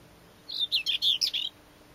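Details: Common whitethroat song from 29 April 2012: one short, hurried, scratchy warble of about one second, made of five or six rough, chattering notes against quiet background.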